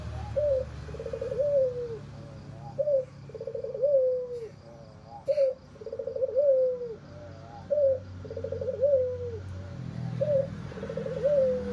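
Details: Red-eyed white albino Barbary dove with a raspy voice, cooing steadily: about five phrases, each a brief upslurred note, a buzzy trilled stretch and a slurred descending coo, with low rumbling noise behind.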